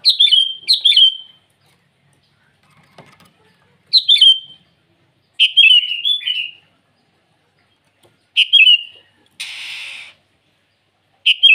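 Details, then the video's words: Repeated short bubbly phrases from a sooty-headed bulbul calling its rivals in the morning, seven bursts of quick descending notes spaced irregularly, with one brief hissy noise near the end. "Suara burung kutilang memanggil lawan di pagi hari"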